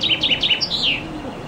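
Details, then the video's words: Common chaffinch singing loudly in summer from a fairly high branch outside a window: a brief, bright phrase of about five quick, high chipping notes, then a short descending flourish at the end. "Зяблик поёт"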